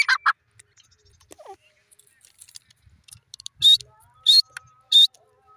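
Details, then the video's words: Francolin (teetar) calling: loud, harsh, high-pitched notes, a brief double burst, then three shrill notes about two-thirds of a second apart, with faint background chirps. "teter bird sound,teter ki awaz"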